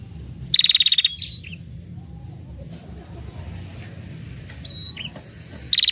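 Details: Female prinia trilling to lure males: a brief rapid rattle of high notes with a trailing chirp, a long quiet stretch with faint whistles, and another trill starting at the end.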